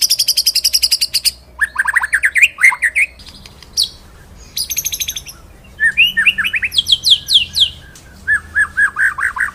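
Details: Murai batu, the white-rumped shama, singing a training master song with rolls and sharp shots: fast high ticking trills alternate with clusters of bright rising and falling whistles, broken by short pauses.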